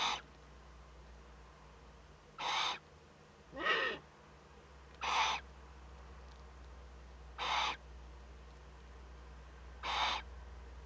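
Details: Eurasian eagle-owl youngster at a webcam nest in northern Rhineland-Palatinate, Germany, on 15 May 2013, first contact with another owl: short rasping, breathy hisses repeated roughly every two to three seconds over a low hum.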